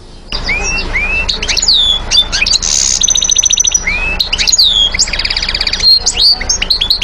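A goldfinch sings a fast, non-stop twittering jumble of high slurred whistles and tinkling notes, broken by two dry buzzy trills; a faint low hum underneath.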